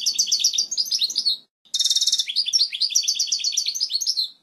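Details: Strong, clear European goldfinch song for teaching chicks: a tinkling twittered phrase, a short silence, then a harsh buzzy burst that flows into more rapid, lively chattering notes.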